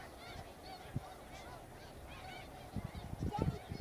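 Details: Snow geese flock in a wheat field in Arkansas in February: a wash of many distant honking and yelping calls blending into a constant chorus, with a few louder nearby honks near the end.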